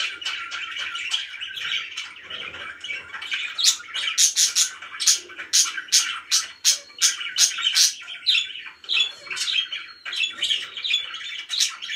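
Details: Happy pet budgies begin with quiet warbling, then break into a long rhythmic series of sharp clicking chirps, several per second, over continuous twitter.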